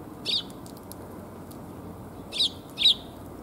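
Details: Tree sparrows arriving to be fed on 1 January 2022: one sharp chirp, a pause of about two seconds, then two more quick chirps close together over a faint low rumble.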